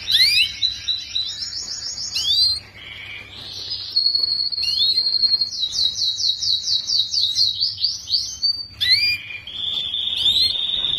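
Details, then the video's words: Canary song in a recording used to tutor young canaries to sing quickly: long rapid trilled phrases at high pitch, shifting between fast warbled rolls, steady buzzy tours and brief upward whistles, with short gaps between sections. "Kicauan Kenari Paud Untuk Pemasteran Kenari Muda Ombyokan Agar Cepat Bunyi!"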